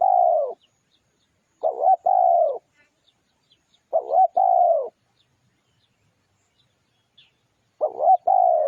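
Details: Spotted dove song for luring birds: repeated phrases of a short choppy coo and a long mellow coo dropping in pitch, spaced about two to three seconds apart, with a clean silent background.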